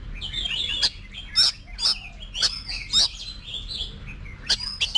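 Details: Oriental magpie-robin singing competition-style song for voice training. Sharp clicking chips repeated roughly every half second, mixed with soft warbled whistles, over a low hum.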